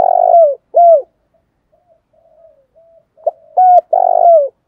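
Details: Spotted dove calls intended to incite fighting ('thúc đấu'): a long rough coo and falling note open, quiet soft cooing follows, then a loud phrase of clipped notes ending in another long burry coo.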